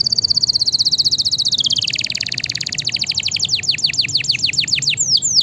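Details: Canary song for training and stimulating lazy canaries: a very fast trill that slides down in pitch and slows into distinct falling whistled notes, ending in downward slurs.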